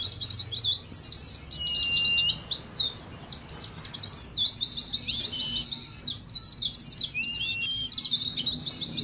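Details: Nonstop high-pitched twittering of Oriental white-eyes in the 'ngeriwik' manner, for contest simulation and lure training; crowded, fast chirps with a few lower sliding whistles.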